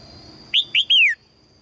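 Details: A female red-whiskered bulbul gives a call meant to draw a strong male: two clipped rising chirps followed by a drawn-out falling whistle, clear against a constant thin high-pitched tone.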